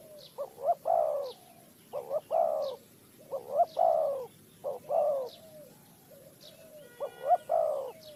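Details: In Ninh Thuận, Vietnam, a Spotted dove at a bird trap repeats soft, hollow coo phrases, each two brief rising notes and a longer fading croon, about six times; thin high chips and a brief buzzy hum in the background.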